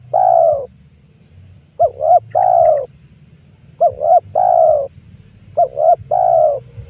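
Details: Spotted dove, recorded in 2022 as a lure for catching wild doves, repeating its phrase about every two seconds: a quick double coo followed by a long, steady, mellow coo, clear and loud over a soft low hum.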